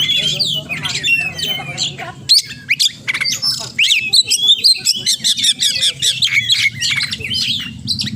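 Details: Oriental magpie-robin singing a rich medley of imitated phrases: sweeping whistles and quick chips, then a fast run of sharp repeated notes, with a constant low background hum.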